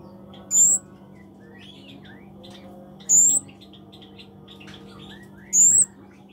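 Scarlet-backed flowerpecker giving a very high, thin, piercing note about every two and a half seconds, over a steady low hum and faint background chirps.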